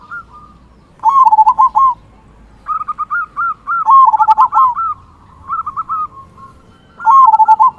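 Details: Zebra dove song meant to provoke other doves into singing: loud bursts of quick bubbling coos alternate with higher, softer rolling notes, repeated phrases overlapping through the recording.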